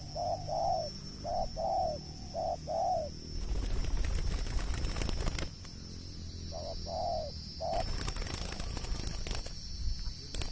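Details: Spotted dove, or tapau, giving a short run of five mellow low coos. A pause filled with crackling noise follows, then three more coos, while a steady high whine continues throughout.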